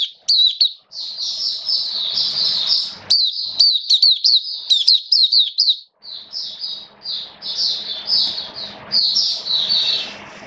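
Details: Oriental white-eye kept as a caged hobby bird, rainy wet weather, 29 September 2022: a long, fast run of high twittering notes, a brief pause near six seconds, then more warbling, over a faint low room hum.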